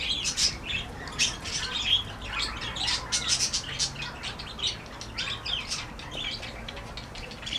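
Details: Parakeets in a birdhouse aviary chatter in a steady stream of sharp, high chirps and squawks, several birds overlapping with quick bursts every half second or so.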